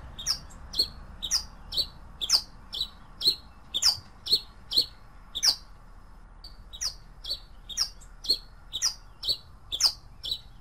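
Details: Pileated finch singing a long run of crisp high chirps, each a quick downward-bending note, repeated roughly every half second with a brief gap midway; faint hiss behind.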